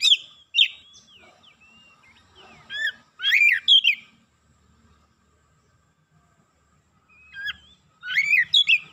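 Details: Oriental magpie-robin (kacer) worked up and singing, with bursts of fast twisting whistles and harsh slurred notes between long quiet gaps.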